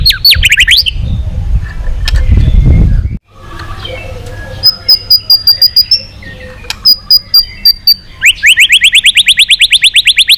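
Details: White-rumped shama giving a long-string training song meant to provoke other shamas: sharp high notes at the start, a stretch of low rumbling noise, scattered faint whistles, then a fast even trill of repeated rising notes at the end.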